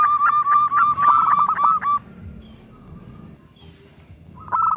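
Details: Singing local zebra dove, a lure to prompt other doves to sing in bekur kerot style: about two seconds of fast rhythmic cooing pulses, a quiet stretch, then a fresh cooing phrase begins.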